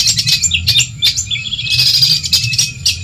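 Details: Long-tailed shrike from Madura, Indonesia, in a tutor recording for training other songbirds: dense, scratchy high chattering with rapid chips and short whistled notes in quick bursts, over a steady low hum.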